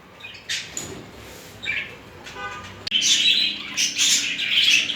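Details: Two budgerigars during mating and courtship display: a few sparse chirps, then from about three seconds a loud, continuous, scratchy warble full of quick high chirps and squeaks.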